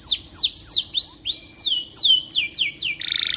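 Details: Canary singing, used as a training tutor for white-rumped shamas: a rapid series of clear whistled notes sweeping downward, about three per second, ending in a fast buzzy trill, with steady low background hum.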